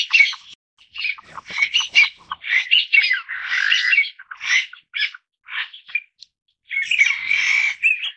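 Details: A family group of Taiwan bamboo partridges (Bambusicola sonorivox), a Taiwan endemic of mid- and low-elevation forest, gives harsh, squawky, chattering bursts in quick irregular runs, several overlapping, with short pauses between runs.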